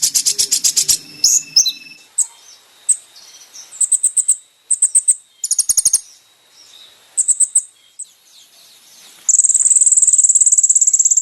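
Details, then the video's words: Kolibri ninja sunbird song for training caged birds. Scattered high chips and short trilled phrases lead into a long, steady, very high trill at the end, over a faint low hum at the start. "MASTERAN BURUNG KONIN TERBAIK SEPANJANG MASA FULL ISIAN MEWAH MATERI KOMPLIT"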